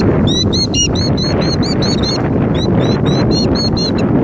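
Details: Sharp, high-pitched killdeer cries repeated about four times a second during a broken-wing act, recorded in 2019; a short gap in the middle, then the calling resumes, over steady low background noise.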